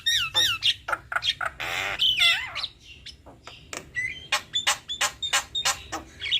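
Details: Male and female Javan mynas in vigorous duet: looping whistles, a harsh buzzy squawk, then a quick string of sharp ticks and short whistles delivered roughly three per second.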